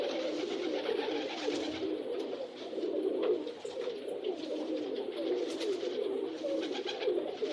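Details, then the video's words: Several pigeons coo together in a steady, low, bubbling murmur, soft overlapping coos rolling on without a break over a faint background hiss. "Pigeons Cooing"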